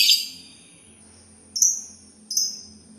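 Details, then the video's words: Sultan tit giving one loud, harsh, raspy burst, then two short high buzzy notes about three-quarters of a second apart. "suara burung labet Sultan"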